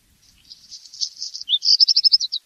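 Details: Black redstart (Phoenicurus ochrurus) singing one full phrase: a thin, scratchy, crackling rattle over about a second, a brief gap, then a bright series of about nine quick, clipped ringing notes. No other sounds.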